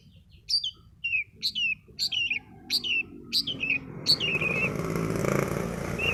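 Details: Long-tailed shrike calls used as a lure to get a quiet or stressed bird singing: sharp, high, down-slurred notes repeated about twice a second, then a steady rushing noise.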